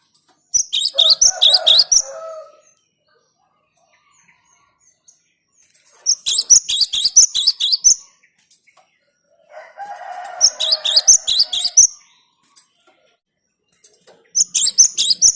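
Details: Cinereous tit singing for a lure recording: four bursts of rapid, high, chipping whistled notes, each about two seconds long and separated by silent pauses, some bursts joined by a softer, lower warbling sound.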